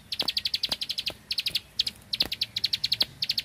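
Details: Bar-winged prinia, a rice-field bird, singing vigorously in the machine-gun 'tembakan bren' style: rapid high 'klik klik' notes fired in bursts of about ten per second, broken by short pauses, with sharp ticks in between.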